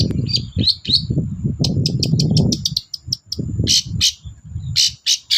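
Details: Long-tailed shrike singing actively, used as a lure to get silent shrikes to sing: quick, varied, scratchy chirps and short trills in rapid bursts over a steady low rumble from the background.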